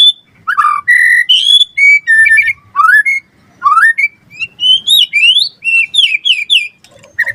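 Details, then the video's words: White-rumped shama in vigorous song, a quick-responding lure and tutor recording: varied pure whistles and upslurs, then a fast sequence of rising whistled sweeps climbing higher, ending in a lower note. "Suara Murai Batu Gacor cepat RESPON NYAUT"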